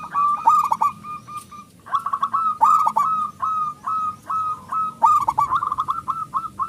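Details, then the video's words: Local zebra dove with a big voice, used as a lure for other doves: nearly continuous sequence of short, rhythmic coos, broken into fast bursts and evenly spaced single notes, with sharp clicks at intervals. "perkutut lokal gacor suara besar pancingan super ampuh"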